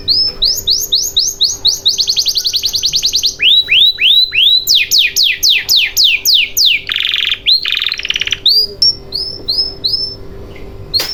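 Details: Canary singing as a lure for canaries that have stopped singing: rapid, varied tours of repeated high sweeping notes, fast rattling trills and a buzzy section, delivered almost without pause over a faint constant hum.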